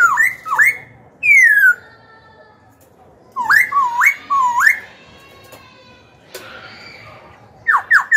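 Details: Young caged black-throated laughingthrush singing to stir rival birds to fight and train young birds; hooked rising whistles, a long falling slur, looping upswept phrases and closing quick falling notes.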